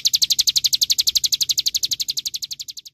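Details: Olive-backed sunbird song used as a training recording for songbirds: a fast, even trill of high, sharp notes repeated steadily, gradually fading toward the end, with faint low rumble beneath.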